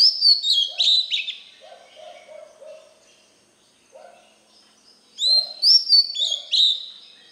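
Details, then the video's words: White-rumped shama song meant for training young birds: high whistled phrases with fast slurs, softer low chirping notes scattered through the pauses, then another bright whistled series. "Luyện Giọng chòe than, ép giọng chòe than, cho chim non học giọng"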